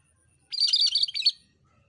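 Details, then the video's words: Cucak kerinci bulbul in active song, one loud phrase of about a second made of quick, jumbled, squeaky chirps, clean and close, with quiet on either side. "BURUNG KURINCI ‼️MASTERAN BURUNG KERINCI GACOR DURASI PANJANG"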